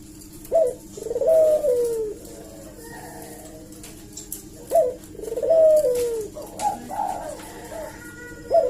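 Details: Collared dove calling as a lure to draw replies from other doves. Sharp upward flicks lead into rolling coos that end in falling glides. Calls come in bursts separated by quieter pauses of a second or more.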